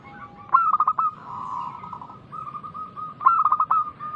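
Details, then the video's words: Loud-voiced local zebra dove singing to lure others into answering. A rapid throbbing burst of coos leads into steady soft cooing notes, followed by another pulsing burst about three seconds later. "Perkutut lokal gacor suara keras besar - pancingan burung perkutut"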